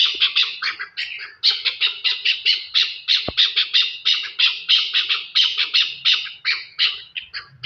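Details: Chukar partridge from Pakistan giving a rapid series of harsh, squawking notes, roughly one and a half per second, bunched in uneven bursts with brief gaps, steady in loudness throughout, with no other clear sounds.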